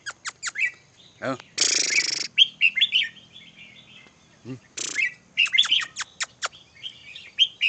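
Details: Red-whiskered bulbul song: a run of sharp ticking notes, a long harsh rasping burst, then a series of quick chirps and warbled whistles. Low stacked sweeping sounds break in twice.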